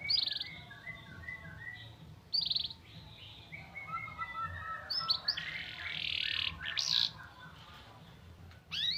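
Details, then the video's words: Canary delivering white-eye (pleci) style song: varied quieter warbled phrases and short whistles, broken by several loud, harsh, noisy bursts, with steady low background rumble throughout. "Burung kenari bocor materi pleci untuk menaikan emosi"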